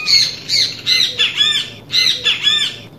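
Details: Great kiskadee (Pitangus sulphuratus) recorded in the wild, singing a lot: loud, harsh, ringing notes in quick bursts of two or three, high-pitched and slightly arched, repeating about once a second.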